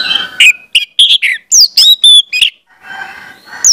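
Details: Orange-headed thrush singing on a training lure for juvenile birds. Rapid, loud whistled notes and downslurred phrases, about four a second, then a softer rasping stretch before one final high note.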